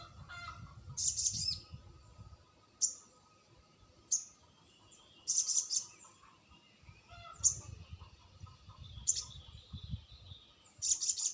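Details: Crested jay lure call, played to draw replies from quiet birds: sharp, very high metallic bursts in short clusters, repeating roughly every one to two seconds over a steady low rumble.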